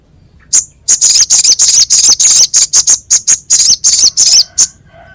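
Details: Crescent-chested babbler in a masteran recording for training songbirds, a rough, sharp voice: a fast run of harsh, raspy high bursts, about three per second with brief gaps, nearly continuous over four seconds.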